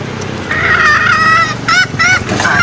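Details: Wild green junglefowl lure call, played to coax males out toward snares: a long, level, harsh, honking call followed by two shorter nasal bursts and a final rising note, over low background rumble.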